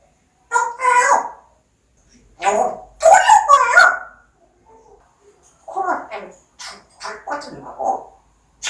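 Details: Pet parrot talking: clusters of rapid speech-like syllables, a loud burst of several quick words in the middle, then softer chattering phrases.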